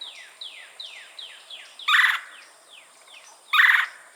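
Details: Red-bellied woodpecker giving churr trill calls in Florida, filmed on a Canon R5 C: two loud, harsh rolling bursts a second and a half apart over a background of soft, repeated downward-sliding whistles.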